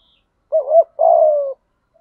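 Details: Spotted dove used as a lure bird, calling to draw in new wild doves: a quick warbled double note followed by a longer, steady coo that slides gently downward, given once in a quiet setting.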